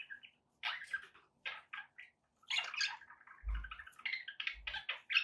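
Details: Budgerigar chatter of short scratchy chirps and squeaky notes in uneven bursts, with a couple of low thuds partway through.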